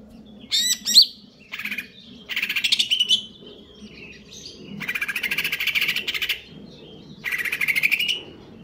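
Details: Konslet kejer nembak singing from a caged greater green leafbird in stable condition: quick sharp whistled upsweeps, then several separate bursts of fast buzzy chattering trills spaced about a second apart.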